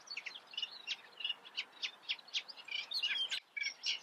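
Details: Reed warbler song in a looser, sparser form: separate scratchy, clicking notes roughly four per second, some repeated in pairs, then a denser jumble near the end.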